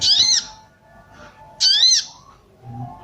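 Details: Female sooty-headed bulbul calling to excite males into breeding condition. Two harsh, arched squeaky notes come about 1.3 seconds apart, with soft faint whistles between them and a low murmur at the end.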